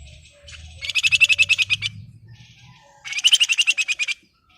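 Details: Excited breeding Flamboyan calling to a rival, giving two long, fast, evenly pulsed buzzy rattles, each about a second long, with a low murmur beneath the first.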